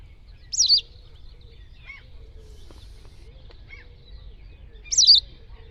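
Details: White wagtail recorded in the wild: two brief high chirps about four seconds apart, each a quick sharp slurred note, with faint low background rumble between them.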